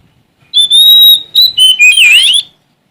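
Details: Oriental magpie-robin from Sumatra, singing in challenge to an opponent. A long pure whistle leads into two shorter lower notes and a loud, wavering, warbled flourish that fades out.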